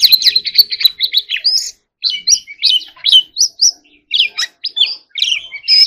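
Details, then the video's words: White-rumped shama singing in competition style, opening with a fast run of repeated chips, then separate rising whistled phrases and short twittering bursts spaced by short silences. "choè than hót líu || Kacer Gacor"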